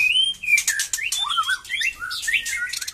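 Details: Batu Kurau strain white-rumped shama regaining its song after the moult: a dense, fast phrase of clear sliding whistles, some rising and some falling, interspersed with sharp scratchy notes.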